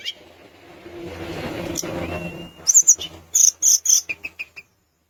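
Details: Vigorous Sunda minivet song used to rouse rivals: after a low murmur of background noise, a series of short, very high ringing notes in quick bursts, followed by a few lower, softer repeated chips that fade out.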